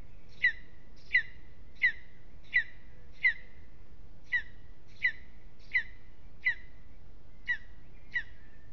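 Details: At Aizkuja in Latvia, a lesser spotted eagle on its aspen nest calls through a restless evening. About a dozen sharp, high yelps come in two runs separated by a short pause, each note crisp and downslurred.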